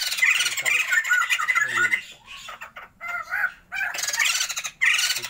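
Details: Captive pair of Sumatran white-crested laughingthrushes kept for a breeding attempt, singing actively: harsh, squawky cackling bursts in rapid runs, broken by short pauses, with a faint low hum behind.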